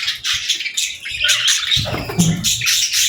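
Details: Baby budgies and lovebirds feeding and interacting, giving loud, harsh chirps in quick bursts, with a low rustling scuffle near the middle.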